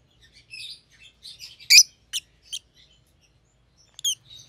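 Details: Rosy-faced lovebirds, a captive white-headed pallid opaline and white-headed green opaline pair, both offspring of opaline parents, giving scattered sharp high chirps and short buzzy notes, with louder clipped calls near the middle and end.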